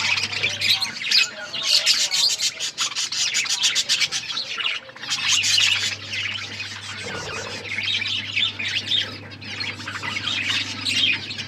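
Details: Pet budgerigars feeding and chattering; fast rattling clicks and high chirps pour out in bursts, a brief gap in the middle, then renewed warbling chatter, with a low electrical hum throughout.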